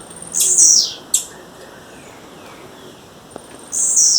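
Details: Wild female blue-black grassquit calling a male. One long buzzy high note and a sharp click, then a pause, then another long, very high buzz.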